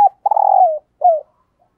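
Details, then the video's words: Spotted dove used as a decoy bird, cooing in the urgent 'thúc gù' style: a brief low hoot, then a longer steady coo ending in a downward slide, and a short falling coo, against silence. "Tiếng Chim Cu Gáy Thúc Gù - Chim Cu Mồi"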